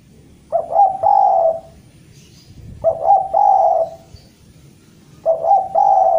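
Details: Javanese spotted dove, a frequent caller, calling out to a rival: three mellow low coo phrases roughly every two and a half seconds, each a stuttered opening note then a long smooth coo, in a quiet setting.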